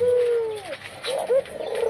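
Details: A white, red-eyed Barbary dove kept as breeding stock at a bird farm in Kuningan gives a low, steady coo that bends downward, then a brief rising note and a short second coo; faint background noise.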